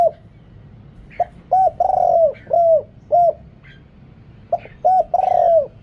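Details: Deep-voiced decoy spotted dove luring wild birds, background noise cut: short coos leading into a long purring coo and further arched coos, the phrase repeating after a pause.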